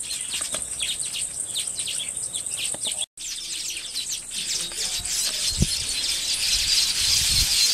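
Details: Village weaver (Ploceus cucullatus) colony nest-building in Africa, males displaying frantically to attract females: many overlapping buzzy, sizzling chatters and harsh chirps, several per second, over a steady high hiss with a brief cut partway through.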